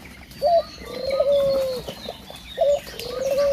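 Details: A dove calls outside around 6 a.m., cooing in a low two-part phrase: a short note, then a long, drawn-out hoot, repeated about every two seconds over a faint high background whine.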